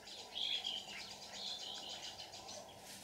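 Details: White-cheeked red-whiskered bulbul singing competitively as a lure bird while being trapped early in the season, 18 June 2019. A quick whistled, warbling phrase rises and falls, followed by softer chirps over faint outdoor noise.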